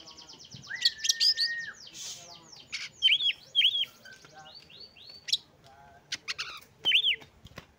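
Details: Oriental magpie-robin lure song, used to coax a lazy, quiet bird into singing: a sustained whistle, then varied rapid chirps, buzzy rasps and looping whistled notes in irregular bursts over a faint hiss.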